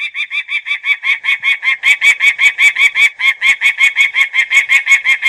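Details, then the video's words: Peregrine falcon giving a fast, harsh series of cackling notes, about two or three per second, each a short, nasal, downward-bent note, steady and unbroken throughout. "صوت صقر الشاهين"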